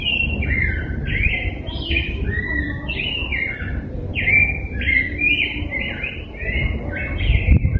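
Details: Rose-breasted grosbeak singing a long, fluent warble of short, sweet whistled phrases that rise and fall, delivered almost without pause over about eight seconds, with a low background rumble.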